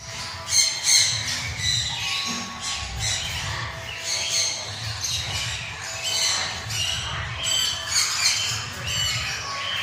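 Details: Male citron-crested cockatoo playing, giving a series of harsh, raspy squawks in short bursts, some scratchy and some buzzing, over a steady low hum in the background.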